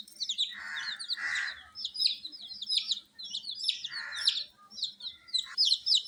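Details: A group of coloured chicks kept warm chirps in piercing, downslurred peeps, overlapping constantly, while harsh noisy bursts come in short clusters.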